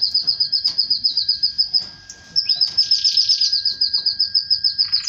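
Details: Domestic canary singing as it mates with its female, fast evenly pulsed high trill that pauses briefly, then resumes with a rising note and more rapid chattering phrases, a faint steady hum underneath.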